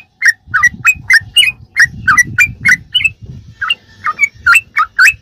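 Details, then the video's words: Sooty-headed bulbul in quick 'ropelan' song, intended as training material for captive songbirds: short, liquid whistled notes rattled off several per second, with a brief lull midway, over a steady low rumbling background noise. "ROPELAN BURUNG TRUCUK TERBAIK||PASS BUAT ISIAN¦¦MASTERAN TRUCUK"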